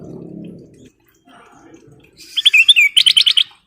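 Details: Sooty-headed bulbul in full song used as a lure: after low background murmur, a burst of rapid, bright chirps and a looping whistle gives way to a fast series of evenly spaced notes.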